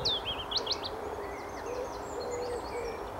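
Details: Willow warbler song in spring 2016 at Motorcycle Wood, Wanstead Flats, London, UK: a quick run of sweet, slurred whistles sliding downward, then fainter high notes, over a low steady hum.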